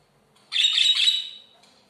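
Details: A happy pet budgerigar gives a burst of scratchy, buzzy chirps lasting about a second.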